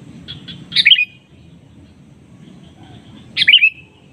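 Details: Calling to a rival that replies, a sooty-headed bulbul sounds soft chips leading into a loud, explosive downslurred call, then repeats the loud call about two and a half seconds later, over a quiet background.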